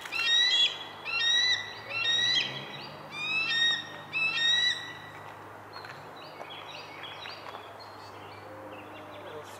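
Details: Nesting female bald eagle at Centerport on 6 May 2019, calling while defending her eaglets from an intruding juvenile bald eagle: bursts of high, thin piping chatters repeated about every second, fading to fainter distant calls, with a low steady hum beneath.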